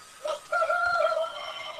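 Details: Chicken (Gallus gallus domesticus), rooster crowing at midday in the countryside, heard indoors: a short opening note, then a long, steady, slightly wavering drawn-out tone fading toward the end, over faint room noise.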